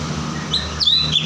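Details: Cucak cungkok, a songbird, giving clear whistled notes: a short rising whistle, then a longer falling, slurred whistle. A loud, steady engine-like hum runs underneath.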